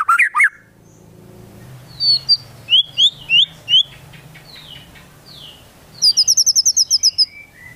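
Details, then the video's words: White-rumped shama, a singing bird with konin and kinoi song fill-ins: sharp downslurred whistles, a run of clear notes near the middle, then a fast high trill of repeated chirps and a falling phrase, over a low background hum. "Murai Batu Gacor Isian Tembakan Burung Konin Dan Kinoi"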